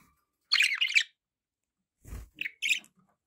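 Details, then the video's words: Pet budgerigar with background noise: a half-second burst of scratchy warbled chatter, a brief low thump, then two short chirps. "budgie sounds"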